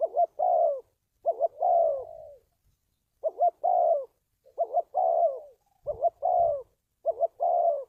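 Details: Trapping lure recording of a spotted dove: a rhythmic run of paired short notes each trailed by a longer, sliding-down coo, about six phrases, with faint low thumps in places.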